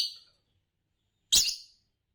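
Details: Green Fischer's lovebird, a champion songster, ends one chirp and then gives a single loud, rasping, broadband chirp after a brief silence.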